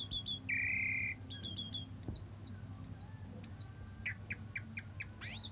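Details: Asian pied starling singing in morning or evening condition, kept as a tutor for other songbirds: short falling whistles, a flat buzzy note, sharp downslurs, then a quick rising whistle, over a steady low hum.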